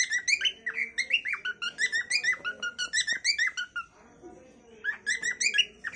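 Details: Cockatiel song of quick, harmonically rich chirped whistles repeated about three times a second, a pause of roughly a second, then the chirping resumes; faint low murmur beneath.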